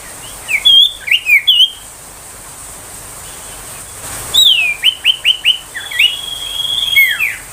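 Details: Bursting 'tembakan' song of an ashy tailorbird, a training song for magpie-robins and young tailorbirds: a run of four sharp high whistled notes, a pause, then a faster string of rising whistles ending in a level trill.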